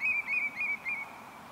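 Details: Red knot at the greenhouse area of Bergerden, Netherlands, giving four quick, soft whistled notes in about a second, flat and slightly husky, with no other sounds.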